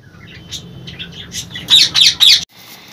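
Indian ringneck parakeet giving a few soft chirps and whistles, then three loud, harsh screeches in quick succession, about half a second apart.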